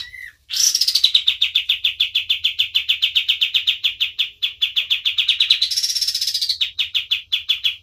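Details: Kapas tembak white-eye in full, prolific song, used as a tutor recording for training other birds: a long run of sharp high chips repeated rapidly, with two brighter rising buzzy stretches, after a brief lower opening note.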